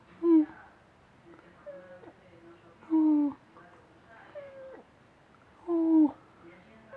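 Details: A pet parrot makes a funny sound, its pupils shrinking each time: three loud, whiny, slightly falling notes about three seconds apart, with softer murmuring calls between.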